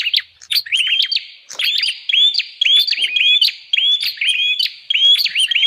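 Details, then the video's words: Lure call of the bar-winged prinia to attract wild birds: quick clicking notes and short flat whistles repeated rapidly and unevenly, nearly two a second. "Suara pikat burung prenjak paling ampuh"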